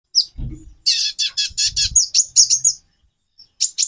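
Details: Female konin (brown-throated sunbird) calling to arouse a male's mating drive: bursts of very high, dry chirps in quick clusters, with brief pauses and soft low thumps underneath.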